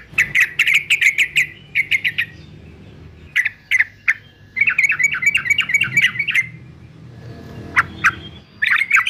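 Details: Male yellow-vented bulbul of fighter style, recorded as training song: bursts of quick gurgling chatter separated by brief gaps, some isolated sharp notes, and a faint low background hum.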